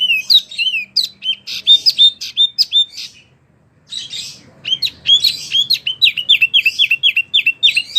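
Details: Wambi song used as a master recording for oriental magpie-robins and other birds: quick repeated high whistled notes, a brief pause near the middle, then a fast even string of sharp rising-falling chirps.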